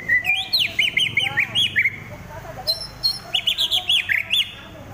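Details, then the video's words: White-rumped shama fighting, pouring out quick strings of sharp, bouncing whistled notes in two bursts, each note rising then dropping, delivered fast and loud. "Murai Lepas Trotol Tarung"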